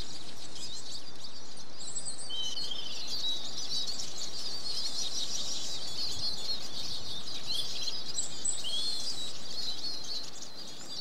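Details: Eurasian siskin song: dense, continuous high twittering with wheezy notes, including a drawn-out descending wheeze around the middle and thin high trills near the end.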